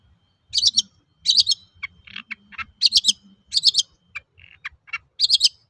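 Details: Long-tailed shrike song, played as a lure to make other shrikes sing: harsh, high rasping double notes recur about every second, alternating with lower scratchy chips and a brief buzzy trill, over a faint low background hum.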